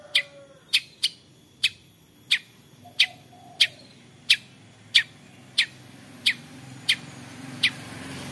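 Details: Lively long-tailed shrike giving 'toet toet' notes as a lure for other shrikes: a run of thirteen clipped, harsh notes, quicker at first and then spacing out, over a faint rising background rumble.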